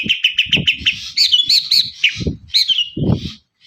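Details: Long-tailed shrike singing to prompt other birds, starting with rapid repeated chips then warbled whistles and buzzy notes, over low rumbling thumps in the background.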